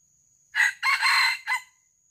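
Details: A wild junglefowl being lured for live capture gives one hoarse, clipped crow: a short opening note, a long harsh drawn-out middle and a brief cut-off ending, over a faint steady high whine.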